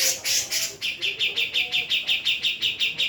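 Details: A female black-throated laughingthrush, Javan type, opens with a couple of louder rasping notes, then settles into a rhythmic train of bright, clipped chips, roughly two per second.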